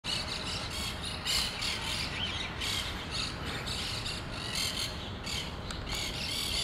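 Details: Monk parakeets at a communal nest colony in Pasir Ris Park, several birds giving harsh, screechy squawks in rapid overlapping bursts throughout, over a steady low rumble of background noise.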